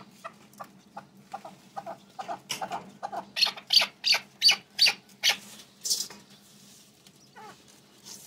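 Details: A hatched male red-billed partridge calling: a run of short clicking notes quickening into loud, sharp chirping bursts repeated about three times a second, then a high squeal and fading clicks.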